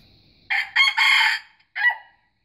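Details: White junglefowl crowing: a short opening burst, then a long, harsh, loud middle phrase and a brief final note, all over about one and a half seconds in a quiet setting.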